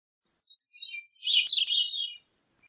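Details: Single Gray-cheeked thrush phrase, soft and high, starting with a thin note, then a run of slurred, nasal, wavering notes that dip and fade out after under two seconds.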